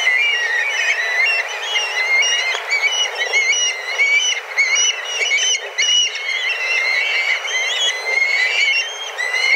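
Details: Dozens of black kites fly back and forth, calling intensely as they search for food; a steady, busy chorus of high whistles, some wavering and some rising, repeated irregularly about 49 times a minute.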